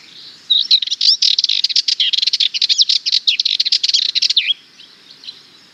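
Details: Sardinian warbler song: a continuous four-second run of dry, rapid rattling notes with twisting whistled inflections, fast and scolding in tone, ending in a few faint trailing notes.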